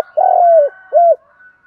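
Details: Spotted dove call meant to excite male and female doves in training: a long, rough, purring coo gently falling in pitch, then one short rounded hoot, in silence otherwise.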